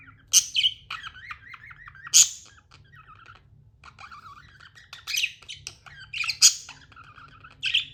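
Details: Tame budgie chattering and chirping indoors, with sharp squeaky bursts roughly every two seconds and quieter wavering warble in between, over a steady low hum.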